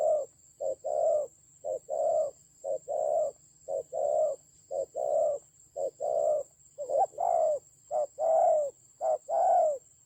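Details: Spotted dove used as a fighting decoy in Vietnam's Central Highlands, 19 October 2020; continuous low cooing in short-long pairs, quickening and growing louder toward the end, with a constant faint high-pitched tone.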